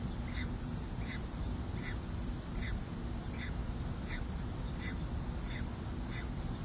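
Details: At a city hall nest in San Jose, a peregrine falcon calls while its male partner meets newly hatched chicks at their first feeding, 2 May 2024, on a nest cam. Nine evenly spaced sharp notes, roughly every 0.7 seconds, rise over constant low rumble.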